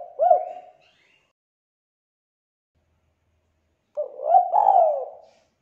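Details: Turtle dove lure call for prompting captive doves, "kuk 2" style: a soft low coo, a long silence, then a rising coo followed by a drawn-out falling one.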